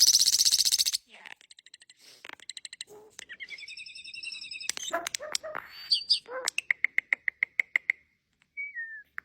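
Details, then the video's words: Varied starling song opens with a loud harsh rasping burst, then moves through buzzy trills, clicks and chatter into a quick series of short repeated piping notes, ending with a brief falling whistle. "Starling bird makes so many beautiful sounds"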